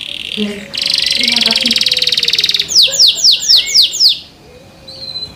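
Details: Canary singing loudly: a fast buzzy trill around the upper range, then a run of repeated descending whistled sweeps, then quieter chirps; faint low tones beneath.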